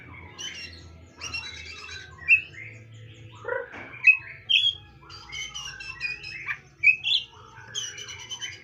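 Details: Magpie-robin singing a varied phrase of sweet whistles, upslurred notes and brief chattering, rising and falling in pitch, with a continuous low hum in the background.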